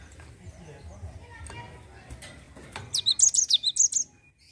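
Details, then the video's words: Java sparrow with a brief burst of its 'ngerol' rolling song, meant to draw song from untrained birds. Soft rustles and clicks come first, then about a second of quick, high, sharply swinging notes. "GELATIK NGEROL UNTUK PANCING BUNYI BURUNG BAHAN"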